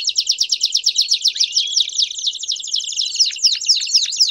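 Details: Belgian canaries singing together as a stimulus to sing; fast rhythmic trill of rapid repeated notes, about four per second in pulses, with a rising whistle and sharp downward flicks near the end.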